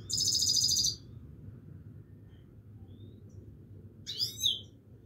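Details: Himalayan goldfinch song in two short bursts: a one-second run of fast, evenly rattled high notes, a long quiet gap, then a brief twittering flourish, all over a low steady room hum.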